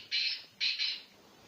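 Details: Black francolin of the Sindhi strain from Sanghar district, Sindh: two close harsh, grating bursts, the second doubled, at moderate loudness over faint background hiss.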